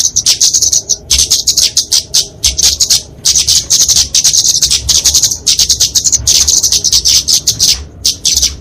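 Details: Flowerpecker (kemade) fighting song, used for training and luring small birds: long runs of shrill, rapid ticking twitters in phrases about a second long, with short breaks.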